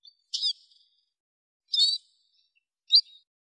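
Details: Arabian babbler calls used for training and hunting: three high, slightly buzzy chirps with short trailing whistles, spaced more than a second apart, quiet background.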